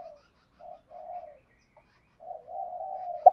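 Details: Softer spotted dove cooing, meant to stimulate a caged dove: quiet, hollow low coos broken into short phrases, ending in a longer drawn-out note and a faint click.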